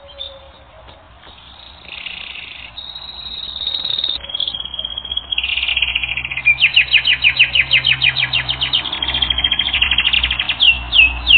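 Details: Canary on a training recording, singing a long, varied song: soft buzzy and steady trills at first, then loud rapid repeated chirps and a falling trill toward the end.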